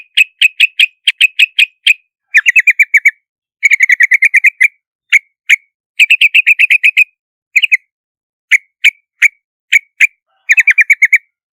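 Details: Yellow-vented bulbul from Southeast Asia, known in Vietnam as hoành hoạch or trao trảo, giving bursts of rapid bubbly chirps near the same pitch, repeated in groups of five to eight notes with short pauses and single notes between.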